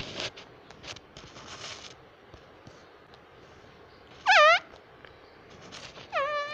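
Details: Pet parrot talking, calling "mummy": after quiet rustling, one short, bright phrase that sweeps down then up, followed by a second steadier, smoothly falling phrase.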